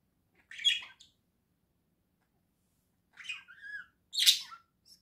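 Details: Caged pet budgerigar pair indoors, November 2024: a sharp chattering burst, a pause of two seconds, then buzzy squeaks and a short whistled note, ending in a loud harsh chirp.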